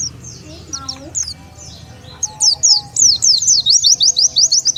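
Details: Oriental white-eye lure call used to draw wild birds in: thin, very high chirps, first scattered, then a fast run of short rising-falling notes near the end, with faint voices and low murmurs behind.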